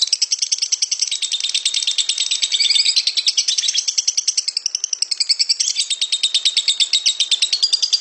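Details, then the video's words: Extended lovebird ngekek trill for training young lovebirds to trill fast: shrill, tightly packed chattering notes running unbroken for eight seconds, wavering up and down in pitch midway. "Lovebird ngekek panjang keren buat masteran biar cepet ngekek"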